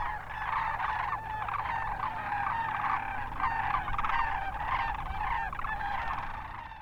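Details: Chorus of Sandhill Cranes from a wintering flock in the Hatch Valley of southern New Mexico: many birds trade rattling, trilled bugling calls in a continuous, even wash of sound over faint low noise.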